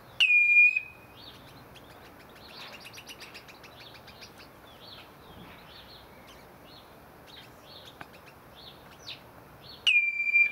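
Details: Captive common redshanks in an aviary: a single clear piping whistle opens and another closes, with a faint busy chatter of small chirping birds in between.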